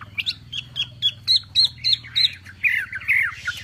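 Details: Javan pied starling tutor song with 'tembakan' shots: short, sharp chipping notes repeated about four times a second, then a run of warbled, slurred whistles.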